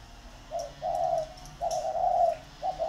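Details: Two captive decoy Spotted doves competing at a bird farm in Ba Vì, northern Vietnam: a short soft coo, then two long, even, low coos near one second each, and the start of another.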